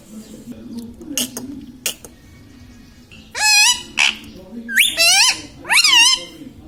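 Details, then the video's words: A talking pet Indian ringneck parakeet repeats words such as mummy, papa and radhe radhe. Soft clicks come first, then four strong, buzzy, wavering syllables in quick succession, each with a sliding rise and fall. "indian ringneck parrot talking video"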